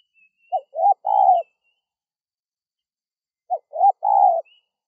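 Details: Spotted dove calling to lure wild doves: two three-note cooing phrases about three seconds apart, each a short note, a rising coo and a long mellow coo. Faint high chirps between them.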